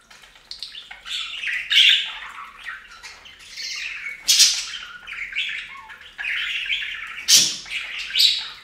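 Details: Budgies at a bath fountain give a steady stream of busy, raspy chatter and chirps, broken by loud noisy bursts around the middle and near the end, possibly wing flaps or splashing.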